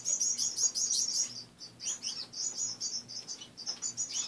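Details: A group of pet finches chatters in a cage at morning, rapid high chirps repeated about three times a second, busy and overlapping, over a low background hum.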